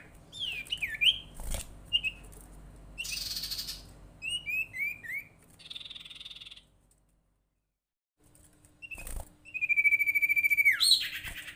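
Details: Golden-bellied gerygone call used as a lure to get other gerygones or ioras calling: quick high whistled slurs and short falling notes in clusters, a brief buzzy hiss, a silent gap, then a long level whistle ending in a sharp sweep.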